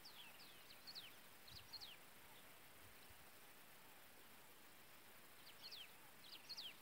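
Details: Feeding its chicks, a pileated finch gives bursts of high, thin, steeply falling notes in quick groups of three or four, a quiet gap between bursts, faint low knocks and steady hiss behind.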